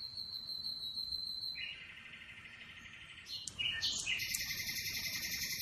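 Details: Atlantic canary heard over a steady low background hiss: a held high whistle, then a lower sustained trilled tone, followed by a louder, buzzier high phrase.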